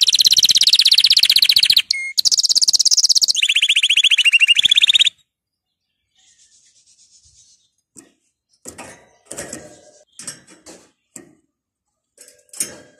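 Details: Canary, played to get canaries singing, delivers about five seconds of dense high rapid trills with a brief pause and pitch shift midway, then near silence with scattered faint clicks and soft rustles.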